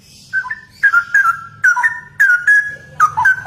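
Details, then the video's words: Straw-headed bulbul singing gacor ropel: melodious whistles with downward slides, delivered in punchy phrases about every half second over a low hum. "Burung CUCAK ROWO Gacor Dor Abis Viral ROPEL"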